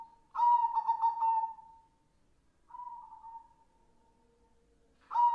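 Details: Zebra dove of a white, red-eyed form giving its cooing song: a rapid burst of stuttered pulses stretching into a long tone, a shorter separate coo, then the next pulsed phrase beginning.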